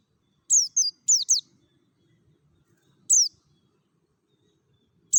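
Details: Ngalas song of a mountain white-eye from Merapi, a lure to set other white-eyes singing: two quick pairs of sharp, high descending whistles, a long gap, then one lone note and the start of another.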